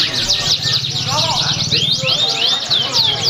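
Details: Competition canary in Pringsewu on 22 September 2019. Rapid repeated curved chirps and rolling trills are set high and continuous, with other caged birds overlapping and human voices humming low in the background.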